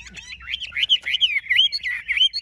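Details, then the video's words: Short burst of Chinese hwamei song from a large bird kept in Vietnam: tightly packed, clear whistled notes looping up and down, rich and continuous. "Họa mi bộ to"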